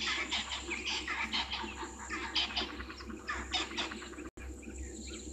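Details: Spurfowls calling at a waterhole on Djuma Game Reserve, Sabi Sand Wildtuin, South Africa, fixed live camera, late afternoon 22 August 2023; a steady run of coarse, scratchy cackles repeated roughly once a second with a brief dropout near the end.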